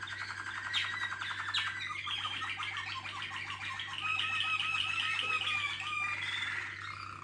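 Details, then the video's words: Waterslager canary team singing: a rapid rattling rolled trill, two sharp upward notes, then long, layered, water-like rolling phrases at middle and high pitch without pause. "malinois Waterslager"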